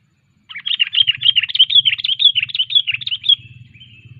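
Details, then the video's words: Trained sooty-headed bulbul, 'cengkram' style: a continuous, rapid, chattering warble of chirpy whistled notes lasting several seconds, over a low steady background hum. "Ngelatih burung kutilang Cengkram"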